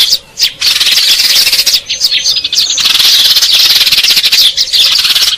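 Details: Lure audio of house sparrows: busy, overlapping, high-pitched chirping and chattering that runs almost continuously, with a few brief pauses early on.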